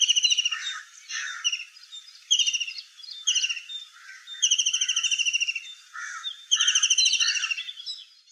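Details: White-throated kingfisher (Halcyon smyrnensis) in the Aravali hills giving loud, high, rattling trills in quick bursts, one every second or two, each a shrill chattering run of notes.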